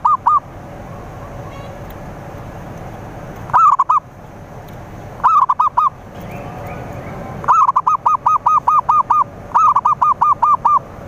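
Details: Zebra dove cooing, used to lure rivals: loud, rapid series of short, bubbling, looping notes, repeated in bursts of a few notes up to about eight, with pauses of one to three seconds between bursts.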